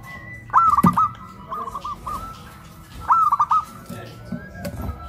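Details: Zebra doves, a big-voiced local bird and a crystal-voiced bird, cooing after being raised on a pole in West Java; two loud bursts of rapid coos about two and a half seconds apart over noisy background.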